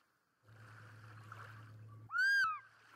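An African fish eagle gives one loud, ringing, slightly arched yelp near the end, after a low steady boat-engine hum that cuts off just before.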